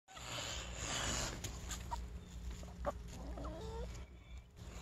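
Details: A pet goose, fed up with chickens all around him, gives a long, harsh, breathy hiss, with the chickens clucking and a steady low hum in the background.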